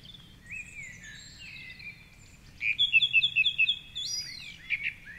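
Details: Male song thrush singing in the dawn chorus at 4.45am on a Sunday morning from a tall treetop perch by the Curragheen River, Cork City. A short high note is repeated about six times in quick succession, with faint other birdsong around it.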